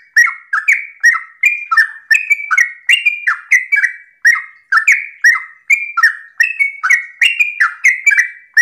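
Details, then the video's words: Sooty-headed bulbul (trucukan) singing fast 'ropel' phrases in the morning to set off other bulbuls. The rollicking warbled notes run without pause for over eight seconds, bright and bubbly, with the pitch of each phrase shifting slightly. "Pancingan trucukan gacor ropel pagi hari trucukmu pasti langsung nyaut"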